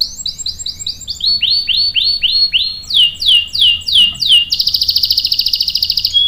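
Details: Canary song meant as a lure to get other canaries singing along in a long roll: quick runs of high descending whistled notes, then a lower slurred series, sweeping notes, and a closing fast buzzy trill.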